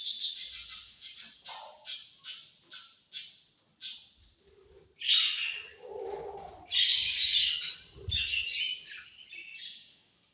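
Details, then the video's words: Budgies chirping: a string of short, bright chirps repeated several times a second, then louder harsh, scratchy warbling bursts. "Very Sweet Budgies Chirping Sounds"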